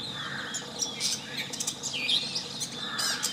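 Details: Long-tailed shrike chirping and singing: a busy, scratchy run of varied notes mixing harsh buzzy bursts, short chirps and thin whistled sweeps, delivered without pause against a soft outdoor background hum.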